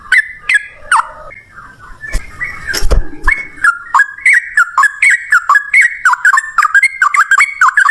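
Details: 'Ropel ngalas' lure song of a Sooty-headed bulbul, used to make birds answer: a few loose whistled notes and clattering noise, then steady repeated up-and-down warbled phrases at a brisk, regular pace.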